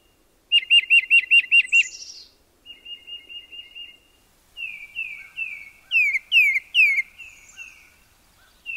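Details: Tufted titmouse whistled song: a fast run of about seven clear, high whistles, then a softer series and several loud downslurred notes.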